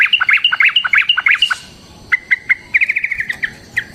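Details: Sooty-headed bulbul singing energetically in a long rapid fighting style meant to provoke other birds into answering: quick bubbly fluted notes in rapid bursts, a brief pause, then spaced whistles speeding into a fast descending run.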